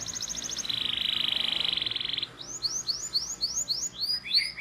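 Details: Training song for young canaries: a high rattling trill drops to a lower buzzy roll, followed by a run of quick downslurred chirps, with a faint low hum underneath.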